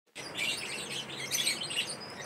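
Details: Pet lovebird chirping at playtime: busy, overlapping high chirps and squeaky twitters over a steady background hiss.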